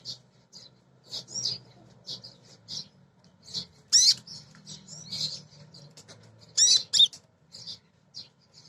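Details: Female kolibri ninja sunbird lure song meant to provoke birds: soft buzzy high chirps in a steady chatter, broken by two louder sharp bursts, over a faint low background hum.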